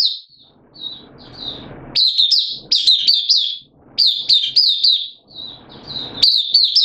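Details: Kept oriental white-eye (Mata Puteh) singing on 8 September 2022, form slightly dipped: soft thin notes build into loud, rapid high twittering bursts, repeated with short breaks.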